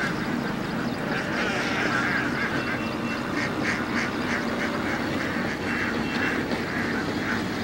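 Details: Hundreds of Indian ducks feeding in water, giving a continuous chorus of overlapping nasal quacks and chatter over a steady, dense background din.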